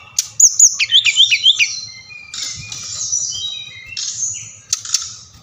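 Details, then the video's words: Brown-chested jungle flycatcher (Bali type) gives a rapid string of looping, bouncy high notes, then softer drawn-out buzzy whistles. It is played to stimulate captive birds to sing. "Sikatan Rimba Dada Coklat | putar ini pasti SRDC anda ngamuk gacor dengan suara ini"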